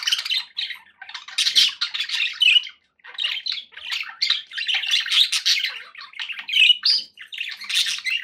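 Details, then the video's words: Almost nonstop budgie chatter: harsh squawks and chirpy warbles from happy pet birds, with only one brief gap. "budgie sounds"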